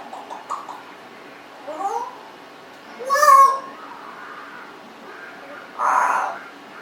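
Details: Congo African grey parrot, 1.5 years old, indoors, giving varied vocalizations: soft mutters, a rising slurred note, a loud harsh squawk and a final breathy, noisy sound.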